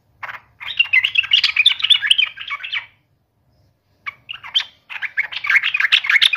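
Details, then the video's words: Yellow-vented bulbul singing persistently to taunt a rival: long runs of rapid, jumbled bubbly notes separated by a pause of about a second, with a short phrase between them. "trucukan gacor TARUNG MELEDEK LAWAN"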